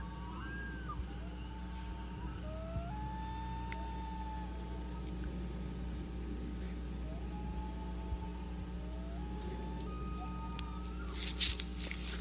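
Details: A family of loons on a lake in New Hampshire in August, calling back and forth to each other in the morning: faint, drawn-out, mellow wailing notes answering across open water, over a steady low rumble and light hiss.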